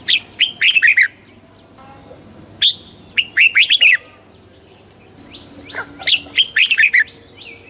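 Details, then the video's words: Red-whiskered bulbul singing, played to make a bird lively: dense runs of bright, slurred whistled notes repeated several times, with brief softer gaps and a faint background hum. "เสียงนกกรงหัวจุก ชัด 100% เปิดต่อ ให้นกคึก"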